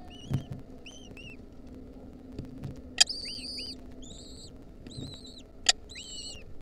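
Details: Lesser kestrel nestlings being fed a mouse by their mother, wild birds, 2023, beg with thin, high, arching squeals, often paired, repeated every second or so, over a low rumble with a few sharp knocks.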